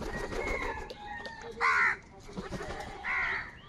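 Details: Crows gathered in the morning, squabbling over food: two strong, raspy caws roughly 1.4 seconds apart, each held briefly, over a murmur of other crow calls.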